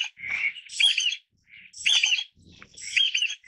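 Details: Taiwan bamboo partridge, a Taiwan endemic bird, giving loud, harsh, ringing calls in three bursts about a second apart, each a rapid looping phrase of strident notes with a grating edge; quiet background otherwise.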